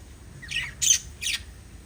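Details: Pet lovebirds kissing and chirping: three harsh, broadband squawks in under two seconds, the first a short rising note run into a buzzy burst, then two loud rasping chirps, over a quiet low hum.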